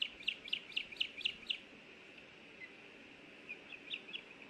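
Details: Osprey at a nest in Hellgate Canyon, Missoula, Montana, on a nest camera, 24 May 2024, as a male brings in a small fish and the female wants a bite: a quick run of six sharp, high whistled chirps, then a few fainter ones.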